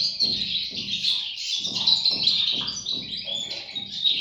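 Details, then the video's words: Short stretch of European goldfinch chicks: a high, squeaky twittering mass over repeated low rhythmic thumps. "صوت فراخ طائر الحسون"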